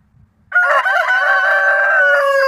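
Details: Roosters, kept as pets, crowing: one loud crow bursts in abruptly after half a second of near silence and holds strong and steady for about two seconds, rich and harsh, running right to the end.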